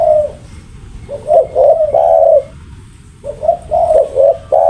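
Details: Very vocal spotted dove giving low, mellow rolling coos in two phrases, each short notes building to a longer coo, with a steady hiss underneath.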